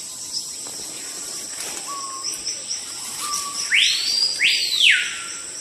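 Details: Capitão-do-mato, or screaming piha, a forest alarm-caller at intruders: two short low level whistles, then a loud doubled whistle sweeping sharply up and down, with buzzing insects throughout.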